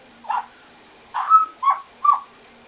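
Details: Pet parrot, female, copying a small toy dog's bark: four short barks, the second drawn out with a level whistled tail, the others brief falling yips, in quiet surroundings.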